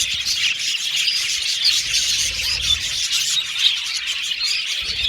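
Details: Budgerigar aviary colony: constant shrill chatter and chirps from many birds overlapping, with occasional brief whistled squeaks rising above.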